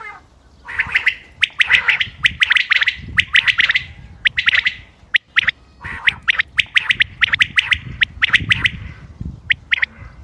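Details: Common quail sounds dated 28 May 2025 for hunting: a long, dense run of overlapping, sharp clipped notes in rapid clusters, mixed with raspy bursts, suggests more than one caller.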